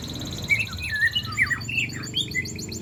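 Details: Juvenile spotted white-rumped shama, three months old, learning besetan and sharp shot phrases. Short, sharp chirps and slurred whistles come in quick succession. A faint rhythmic pulsing and a low background hum are also heard.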